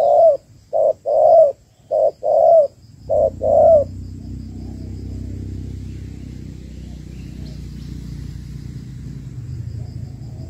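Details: Female spotted dove calling to stimulate males, used as a lure bird: a loud burst of about six deep hollow coos around 4 seconds, paired short and long notes, then quiet with low rumbling background.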